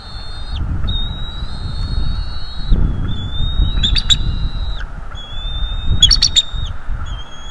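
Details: Male bald eagle at a North East Florida nest on a livestream camera, calling while attacking an intruder: long thin high whistles with brief sharp chirping bursts, over steady broadband background noise.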